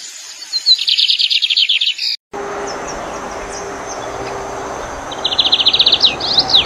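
Lined seedeater song: a fast, buzzy trill of high repeated notes lasting about two seconds, then a short pause and a second trill, over a steady background hiss.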